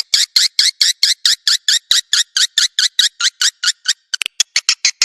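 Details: Attraction call for swiftlets: evenly spaced, buzzy, high chirps repeated about twice a second, turning into quicker, shorter clicks near the end.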